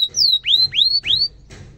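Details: Canary heard in a master recording for young canaries: four loud, upward-sweeping whistled chirps, each about a quarter second long, followed by a faint trailing note.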